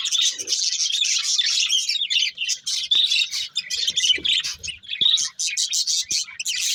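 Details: Continuous busy warbling and chirping from a breeding pair of budgerigars, high-pitched and scratchy, with rapid clicks and squeaks running almost without pause.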